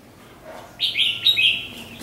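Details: Red-whiskered bulbul singing the doubled 'bernl' song style, played for young birds to copy: one short burst of bright, slurred whistled notes after a quiet start.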